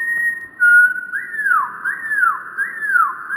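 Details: Slowed-down wren singing: a held whistle, then three loud arching notes that rise and sweep down, each about two-thirds of a second apart, clear and strong.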